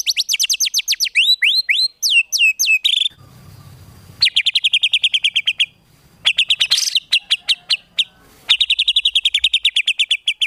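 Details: White-rumped shama singing full, varied phrases: quick upswept whistles, then repeated runs of fast, even chips in a high band separated by short pauses, with a faint low rustle in one gap.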